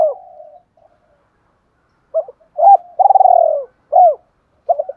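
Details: Spotted dove cooing in the fight-urging style: a trailing soft coo, then loud, deep two-part coos and a fast pulsing, rolling coo that falls at its end.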